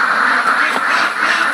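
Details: Ducks on a duck farm, a dense flock chorus of overlapping nasal quacks running continuously with no break, one slightly louder quack near the middle.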